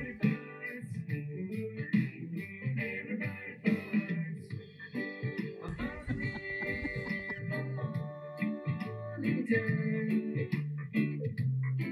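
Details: Guitar music with singing and a steady bass line, and no animal voice anywhere.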